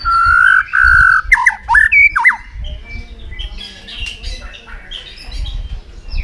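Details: White-rumped shama in a singing contest, fired up and flapping: two long loud steady whistles, a burst of sharp twisting notes, then softer high warbling over low rumbling background noise.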